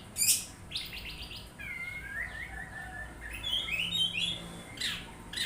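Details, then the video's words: Oriental magpie-robin song opening with a loud high squeak, then gliding whistles and twisting warbled phrases, ending with a scratchy high note. "KACER LANGSUNG NYAUT MENDENGAR SUARA INI"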